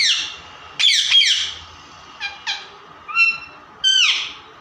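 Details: Pet parrots at play mixing a rough double squawk with shorter clear tonal notes and a downward-bending whistle, all coming in uneven bursts.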